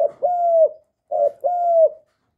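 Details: Loud cooing of a young male spotted dove: two phrases, each a short note followed by a longer, steady, level coo that drops slightly at its close, with clean silence between.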